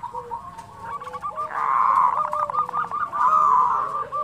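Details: Local perkutut, the zebra dove, sings "kerot" and "bekur putar" cooing used as a tutor for quiet doves: stuttered trill notes building into two long, loud rolling coos.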